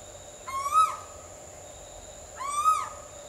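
Asian koel giving two loud, rising then dropping 'ko-el' notes about two seconds apart, over a steady high insect drone.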